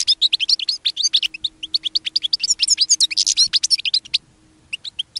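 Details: A caged European goldfinch (Carduelis carduelis) sings a fast, tinkling run of liquid twitters and buzzy trills; a linnet joins in near the end, over a faint steady hum.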